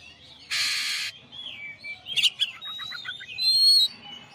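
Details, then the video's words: Champion Oriental magpie-robin in full song for a master recording: a loud harsh rasp early, then sliding whistles, a clicking burst, and a quick series of descending rattled notes, ending on a bright sustained whistle. "masteran suara kacer juara"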